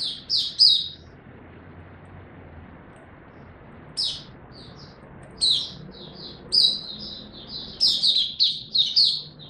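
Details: Caged Oriental white-eye in training, singing bursts of high, thin twittering notes in short clustered phrases separated by pauses, with a faint low hum beneath.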